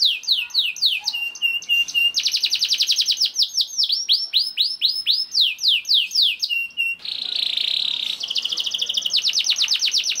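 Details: Juvenile canary song played to make other canaries sing: looping descending whistles, a rapid rolling trill, more falling sweeps, then a loud buzzy roll followed by fast repeated notes.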